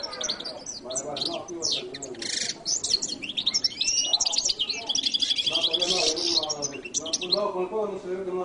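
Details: Latin goldfinch singing a fast, high twittering song of rapid chirps, trills and short whistled notes, continuous throughout, with lower voice-like harmonic sounds underneath.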